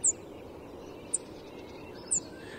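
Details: Cirl bunting, a farmland-breeding bunting of western Europe and Britain, giving three thin, very high, short 'tsip' calls spaced about a second apart over a quiet background hiss.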